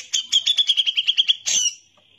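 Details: Grey-cheeked bulbul (cucak jenggot) singing gacor masteran song in captivity: a crisp, rapid run of about ten even, slightly buzzy notes on one pitch, ending in a louder harsh note and a fading whistle.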